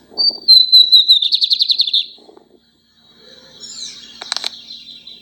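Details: Singing lined seedeater gives a high clear whistle that slides slightly downward, then runs into a fast, buzzy, pulsed trill. After a short pause come a few sharp chips and rustling.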